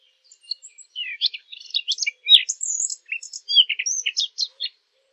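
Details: Fig bird recording used as a hunting lure: a quick run of high, thin chirps and short twittering notes with clear gaps between them, followed by a sweeping whistle in the middle, over a quiet background.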